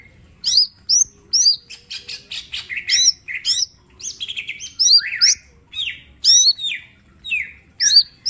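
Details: Green leafbird, mini form, in energetic song used as a training master: rapid looping whistles and harsh chattering bursts repeated a little under once a second, with no other sounds.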